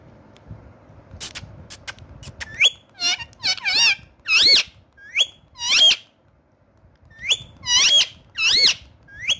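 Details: Pet talking parrot kept indoors, said to speak Urdu/Hindi. It gives a string of high, squeaky, warbling syllables that bend up and down, in bursts with short pauses, over faint room noise.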